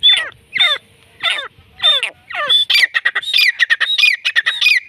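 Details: Desi black francolin calling in Pakistan: harsh, downward-sweeping notes repeated about every 0.6 seconds, then a rapid run of chattering, squeaky notes.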